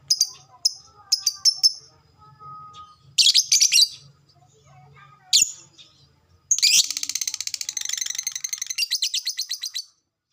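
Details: Lovebird calls meant to provoke long chattering: scattered sharp high chirps and a few harsh bursts, then a continuous rapid, rattling chatter of evenly pulsed notes lasting several seconds.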